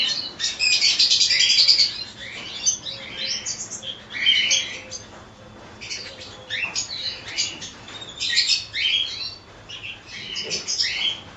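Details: Cockatiel colony chorus: a loud burst of crowded shrill chirping at the start, then scattered squeaks and brief whistled notes in irregular rapid clusters.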